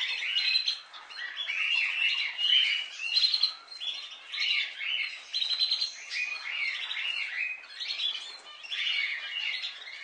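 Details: Pet budgies in lively chorus, layered chirping trills and squeaky warbles that swell and fade in bursts of about a second, continuing steadily throughout.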